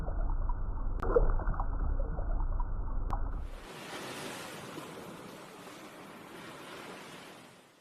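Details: Low rumbling noise with two sharp clicks gives way abruptly to soft rushing water, with no animal voices audible.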